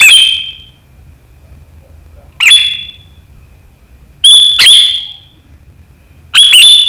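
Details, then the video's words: Sooty-headed bulbul riwikan chatter from 7 April 2023, meant to spur rival birds into calling: four separate piercing whistled notes spaced about two seconds apart, one a quick doubled note, against near silence. "Suara burung KUTILANG GACOR RIWIKAN yang tajam membuat lawan ikutan ngeriwik"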